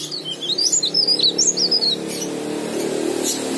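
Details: Leaf warbler in vigorous song, used to prompt other birds to sing: one quick phrase of high, bouncing twittered notes lasting under two seconds, then steady background hum.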